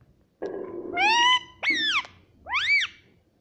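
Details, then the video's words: Pet Indian ring-necked parrot indoors making a rough low noise that turns into a rising harmonic note, followed by two loud arched squawks. "Indian parrot talking"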